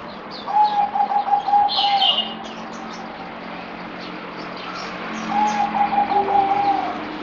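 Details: Merbok, or zebra dove, recorded 17 April 2020 on the fourth day of a deworming course, gives two bursts of quick, pulsing low coos separated by a pause of about three seconds. Higher twittering from other birds and faint background hum.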